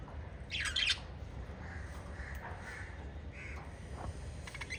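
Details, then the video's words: Five pet lovebirds, a family group, give harsh, squawky chirps: a loud burst near the start, then shorter screechy notes, over a steady low hum. "LOVE Birds Chirping Sound"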